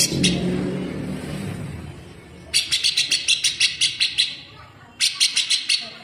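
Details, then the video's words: Grey-cheeked bulbul delivering full-speed, rough and sharp besetan, a tutor song for training cage birds: two fast bursts of harsh, high, clipped notes, roughly ten then six, following a stretch of low background noise. "CUCAK JENGGOT GACOR BESETAN RAPAT"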